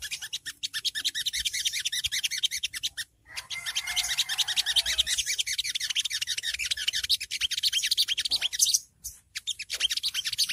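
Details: Long-tailed shrike (songgo ontong) "ngriwik" chatter, meant as training audio for young birds to provoke them into answering: dense, rapid, scratchy high notes repeated continuously, with two brief pauses.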